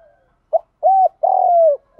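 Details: Low mellow spotted dove coos from a training track for luring doves, male and female included. A short note leads into a rounded coo and a long sustained coo, with another note starting right at the end.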